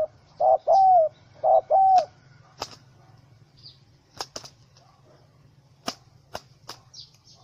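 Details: Wild spotted dove (Spilopelia chinensis), angry after being caught in a small rope trap on 04/07/2017, gives four hoarse low coos in two seconds, short then long, followed by sharp clicks and faint thin chirps of other birds.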